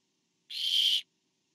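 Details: A single raspy, hissing screech lasting about half a second, from a barn owl nest as a parent delivers food to owlet number four on 24 September 2015.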